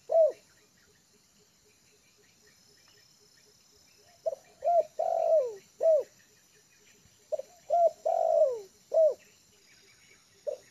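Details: A trained decoy spotted dove, at ease on the ground of a yard, repeats its cooing phrase three times: clipped notes, a long wavering coo sliding down, then a short hooked note, with steady faint ticking between.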